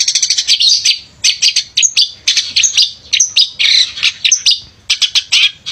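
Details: Energetic song of a male long-tailed shrike used as a lure for birds slow to sing: dense scratchy chatter mixing harsh bursts, squeaky whistles and mimicked twitters, nearly continuous.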